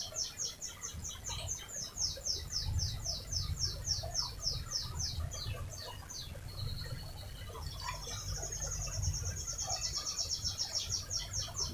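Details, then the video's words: Canary singing a long, lively rolling song used as a lure to set other canaries singing. Quick runs of high, sharply falling notes repeat several times a second, then give way to thinner whistled trills, over a steady low hum. "Suara Burung Kenari Gacor Panjang cuit cuit Ngerol untuk Pancingan Kenari"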